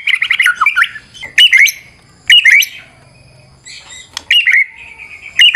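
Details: Fighter-type white-rumped shama (murai batu) in full varied song used as a lure to make other birds sing: rich whistled phrases with sliding, warbling notes, broken by sharp harsh squawks and short pauses.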